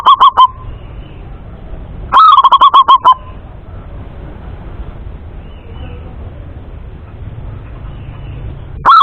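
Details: Male local zebra dove from Indonesia giving clear song: two bursts of rapid, staccato coo notes, one complete phrase of about eight evenly spaced notes lasting a second, with quiet, faintly hissing background between phrases.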